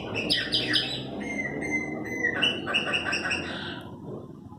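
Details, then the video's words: Chopi blackbird singing: a quick run of liquid warbled notes, then a long steady whistled tone, then another burst of rapid chirpy phrases that fade at the end. "Cantos, meus pássaros preto"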